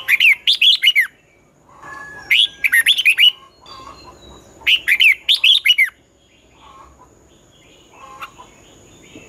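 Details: Red-whiskered bulbul singing its morning 'giọng xoắn' fighting song, used to coax birds into singing. Four lively phrases of sharp, warbled whistles, each about a second long, with a few faint, softer notes between them.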